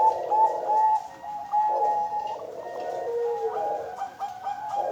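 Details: Female Bangkok zebra dove from an East Java breeding farm, hatched late 2022 and ringed. Its warm, low coos flow in long, wavering phrases, with a brief dip between phrases and a quiet room behind.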